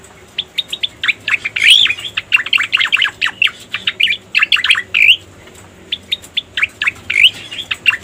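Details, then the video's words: Lure sound of a striated grassbird: clusters of quick chirping notes, with one louder squeaky warble near the start and irregular pauses between bursts. "Suara Pikat Burung Cica Koreng"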